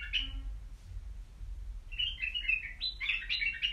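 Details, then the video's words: Caged white-eared bulbul singing: after a short opening note, a run of quick warbled, bubbling phrases at mid-high pitch, with faint low room hum beneath. "تغريد بلابل يجعل بلبلك يغرد"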